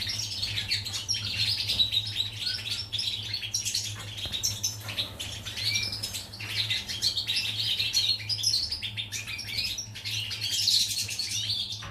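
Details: Goldfinch song from 14 July 2019, an unbroken stream of quick, jangling twitters and buzzy notes mixed with clear liquid chirps, running for the whole stretch over a low steady hum.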